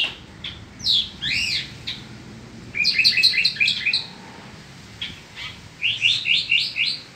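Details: A Baja California mockingbird (Cenzontle Peninsular) gives its spring song: varied, bright phrases, each note repeated in quick clusters, some rising and some chattering, in a high, lively run with short pauses.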